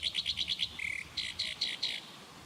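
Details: Black-browed reed warbler giving six quick, high chipping notes, a short lower buzzy trill, then four spaced, harsher high notes against faint low background rumble.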